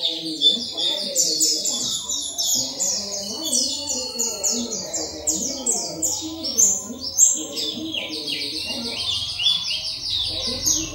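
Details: Oriental white-eye 'ngalas' wild-style singing, used as a training recording to prompt other white-eyes to open their beaks and sing. Continuous rapid, high twittering with quick chirps and short descending trills throughout, over faint low murmuring sounds.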